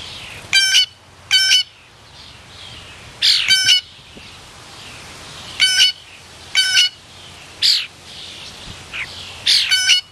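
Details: Talkative blue jay at suet feeder, loud harsh calls with a rich, ringing tone, mostly delivered in pairs separated by short pauses, about six bursts overall.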